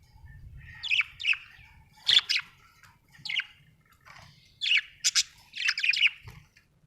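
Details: Budgie happily chirping: scratchy, warbled notes in small clusters, bright sharp chirps around five to six seconds, with a soft low rumble underneath.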